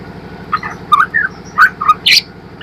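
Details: White-rumped shama song used as a lure to train birds to sing: short whistled notes and slurred phrases, with a few sharp high squeaks, over a steady low mechanical hum.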